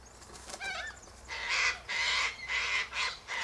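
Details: Sulphur-crested cockatoos gathering to eat seeds from pods high in a silky oak tree give harsh, raspy broadband screeches, about five loud bursts in quick succession after some softer chatter at the start.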